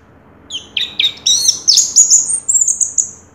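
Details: First-place 2022 contest orange-headed thrush producing a quickening series of squeaky, upward-slurred notes that climb in pitch and end in thin, high twitters.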